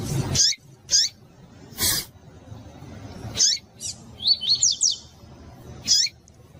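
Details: Female double-collared seedeater of the pure tui-tui type, kept by breeders, calling to warm up and stimulate males for song tournaments: short, high, sharp chip notes spaced irregularly, with a quick run of thin, rising-falling twitters in the middle and faint background noise.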